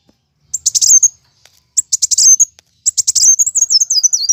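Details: High-pitched fighting song of a plain sunbird, known locally as kowul: three fast bursts of sharp buzzy chips, the last running into a longer zigzagging squeaky trill.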